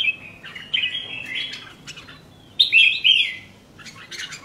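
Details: Red-whiskered bulbul, a caged pet songbird, gives warbled whistles: a rolling phrase at the start, then a louder bubbly burst midway, and a few faint chirps at the end.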